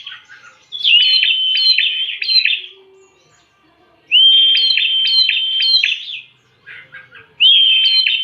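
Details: Lure recording of a bar-winged prinia. Three bursts each open with a steady high whistle broken by clicking, buzzy pulses, with gaps of about one to two seconds between them.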